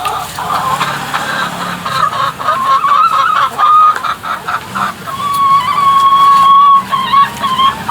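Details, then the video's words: Chickens making weird noises: a long, wavering, tonal squeal that rises and dips, broken by pauses, over a background of fainter clucking. "Weird Chicken Noises"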